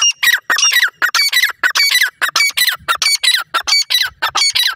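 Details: Fighting pheasant chicks in a forest give loud, harsh squawks about one and a half per second, each a brief falling, rasping cry rich in overtones, repeated nonstop.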